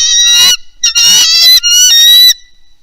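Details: Bald eagle at a nest with a young eaglet on Santa Cruz Island, Channel Islands National Park, 24 March 2025, amid an intruder alert: three shrill, squealing, high, harsh half-second bursts with a strained piping tone.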